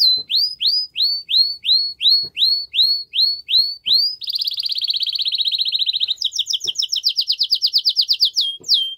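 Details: Powerful canary song to arouse the female for mating: about ten swooping upward whistles repeated twice per second, then a dense fast buzzy trill and a quicker high chattering roll.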